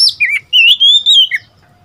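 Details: Oriental magpie-robin, a young decoy bird of seven months in first moult, singing back at wild birds: a loud, sweet, sustained whistle rising and falling, framed by quick slurred notes.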